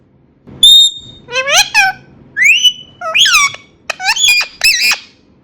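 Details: Indian ringneck parakeet talking: a pure whistled note, then a run of squawky, harmonic-rich syllables in speech-like bursts, some rising and falling, over a faint indoor hum.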